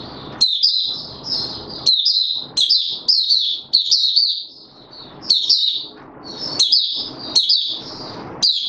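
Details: Male white-eye being brought into singing form, recorded 31 December 2021: rapid high twittering phrases with sharp upslurred notes, in bursts of about a second separated by short pauses, over soft background rumble.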